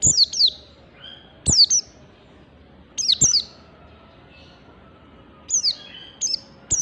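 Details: Oriental white-eye singing in the standard 'ngalas' style, used to provoke other birds into song: bursts of high, thin, sharply descending chirps, two or three notes per burst, repeated every second or two with quiet gaps between.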